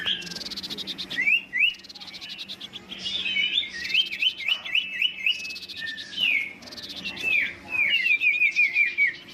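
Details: Huyt Co bird in competitive fighting song, delivering bursts of quick zigzag whistles and short trills separated by brief pauses.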